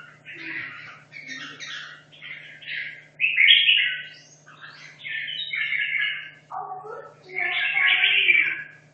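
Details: A red-whiskered bulbul kept caged for two and a half years sings competition practice: a run of about seven lively, fluty warbled phrases with brief pauses, some rising, the last loud and full, over a faint low hum.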